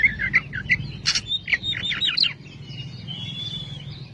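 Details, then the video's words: Oriental magpie-robin (Kacer), a long-duration master recording of lively, loud song: a rapid run of varied whistled and chattering notes in the first two seconds, then a faint thin whistle over low background hum. "Masteran burung Kacer/Klacer gacor dor nembak durasi panjang"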